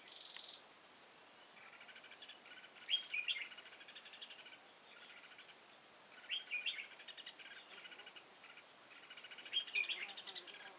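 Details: Red-whiskered bulbul decoy used to trap a wild bird, recorded 15 October 2018; short bright warbled phrases recur several times over ten seconds, under a constant high electronic whine with a sharp click near the start.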